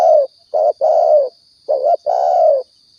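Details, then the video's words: Spotted dove calls used as a lure for trapping or hunting in Riau: low, hoarse cooing notes, a short coo followed by longer drawn-out ones in two phrases, over a steady thin high whine. "suara tekukur balam pikat"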